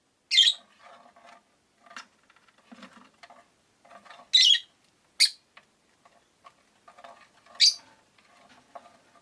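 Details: Rosy-faced lovebirds in a cage beside a window utter sharp shrill chirps every two to three seconds over soft chattering and light clicking sounds.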